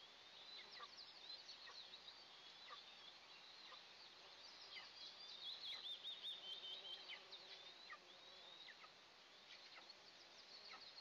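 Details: Two Eastern imperial eaglets in a nest on a pine 20 m up in an oil-and-gas area, at the first feeding of the day, 29 June 2024: thin, high, overlapping chirps, several per second, over a soft hiss.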